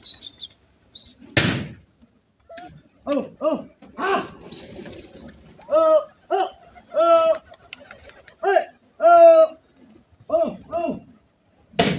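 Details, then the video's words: Pair of partridges known locally as Irani teetar giving a series of nasal, harmonic-rich call notes in short bursts, some paired, roughly every second. Loud sharp knocks sound near the start and at the end. "irani teetar wonder pair,partridge bird best pair"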